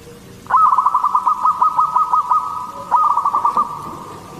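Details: Zebra dove, a local Katuranggan Cendolo Sabdo bird whose song lures other zebra doves, gives a long run of rapid cooing beats on one steady mid pitch, pauses briefly, then starts a shorter second run.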